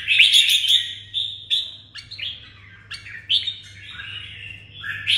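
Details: Bright, rolling phrases from a red-whiskered bulbul in Đồng Nai, Vietnam. The bird gives quick chirps and sliding whistles in bursts about a second apart over a constant low hum.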